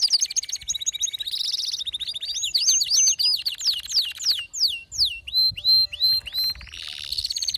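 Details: Worked-up male canary in full song, shifting from fast trilled rolls to a run of sharp descending whistled notes and hooked chirps repeated about three per second, ending in a buzzy trill.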